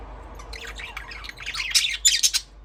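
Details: Budgerigar chirping: a rapid, busy warble of high, scratchy chirps and short whistled notes that builds in loudness over about two seconds, then stops abruptly. Quiet room hum underneath.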